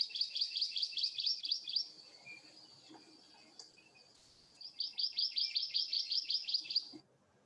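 Hawaiʻi ʻamakihi singing: fast, high trills of repeated checkmark-shaped chirps, two bursts about two seconds long each, separated by a quiet pause.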